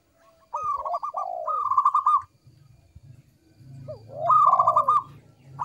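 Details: Local zebra dove (perkutut lokal) used as a lure, giving two clear cooing phrases of rapid stuttered notes with a long descending slur, separated by a pause filled with low rumbling background noise.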